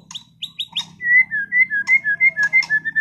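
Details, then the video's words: Caged white-rumped shama from Sragen, kept for singing contests: three quick high chirps, then a steady series of loud, clear whistled notes, about four per second, each with a slight up-and-down inflection. "MURAI BATU TEMBAKAN ISTIMEWAH gacor bongkar materi"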